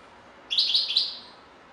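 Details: European goldfinch singing a single brief, bright twittering phrase of quick high notes lasting under a second, over quiet background.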